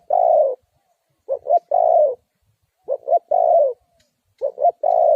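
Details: Spotted dove used as a lure to trap wild doves, giving low coos around 500–1000 range: two short quick notes followed by a longer drawn-out descending coo, phrase repeated about every 1.4 seconds, clean background.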